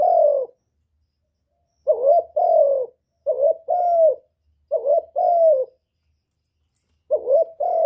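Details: Repeated spotted dove cooing to stimulate birds, five soft two-part phrases, short trilled note then longer smooth coo, in a steady run with a pause near the end, quiet background.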